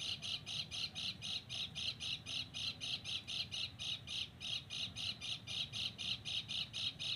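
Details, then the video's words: Sogon bird in the mountains, recorded while luring birds: harsh, high squawking notes repeated steadily about four times a second for the whole stretch, over a low rumbling background. "mikat burung sogon di gunung"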